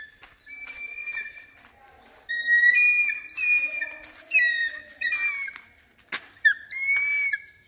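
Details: Hawk-eagle in training: bouts of high, ringing whistled screams with bent, slurred endings, separated by short pauses, plus a sharp click near the end.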